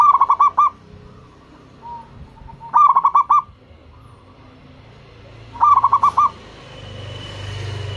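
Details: Three rolling, bubbling coo phrases about three seconds apart come from a local zebra dove used to lure other doves into answering. Each phrase holds five or six quick notes, with soft single coos between them and a rising hiss near the end.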